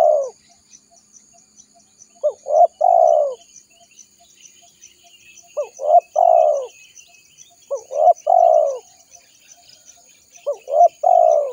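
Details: Spotted dove calling its companions, recorded as a trapping lure. Four repeated phrases of two quick hooked notes and a longer, rolling, down-slurred coo come roughly every two to three seconds, with a faint high hiss behind.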